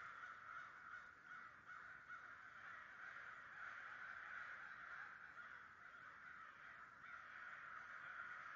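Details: Crowd of around 100 American crows cawing in New Jersey in 2011, their many raspy calls merging into an unbroken, even wash of sound throughout.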